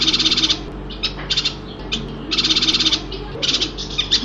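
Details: A yuhina from Kalimantan gives bursts of high, rapid chattering notes, each about half a second long, repeated several times over a steady low hum.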